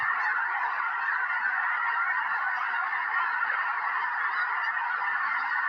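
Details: Massive snow goose flock settling into a Tennessee field in January 2026, just ahead of a historic snowstorm: a steady wall of high, nasal yelping calls from many birds at once, constant in loudness throughout.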